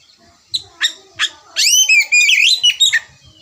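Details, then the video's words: Oriental magpie-robin singing in the 'ngerewek' style, used as a lure. A few separate sharp notes lead into a dense run of rising and falling whistled slurs and chattering phrases. Faint low background noise. "Pancingan kacer berkicau, memulai ngerewek kicau"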